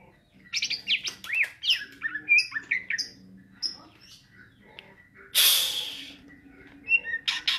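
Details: Greater green leafbird singing ngentrok style, rapid jumbled whistles and chirps varying in pitch, broken by a second-long hissing noise burst, with faint background music.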